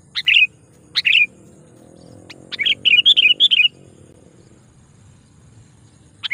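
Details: Sooty-headed bulbul giving a lure call to provoke wild bulbuls: two separate bubbly notes, a sharp click, then a run of rolling warbled notes, with a soft low drone in the background and one more note at the end.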